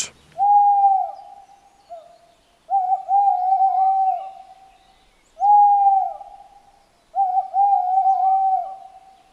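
A male Tawny Owl gives two mellow, hollow hoots: a long note, a brief pause, then a longer, slightly wavering hoot. The pattern repeats twice over quiet night air.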